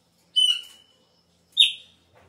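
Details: Chopi blackbird singing at the start of the season, when its song changes. One long, clear, level whistle is followed a second later by a brighter, falling whistled note, with a soft rustle at the end.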